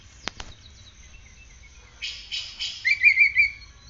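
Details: Oriental magpie-robin kept in a cage, in song after morning sunning and dew care: two sharp clicks, a burst of harsh chattering notes, then a wavering warbled whistle trilling at a steady pitch.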